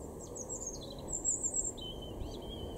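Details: Great tit singing in a garden in Weener, East Frisia, northwest Germany, May 2021: thin, very high whistled notes, then a few clearer, lower drawn-out whistles, over a steady low background rumble.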